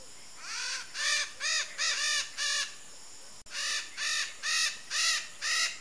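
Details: Red-shouldered macaw, a free bird of the Brazilian Pantanal, uttering a steady series of about eleven coarse, buzzy squawks, roughly two per second, broken by one brief click, faint hiss behind.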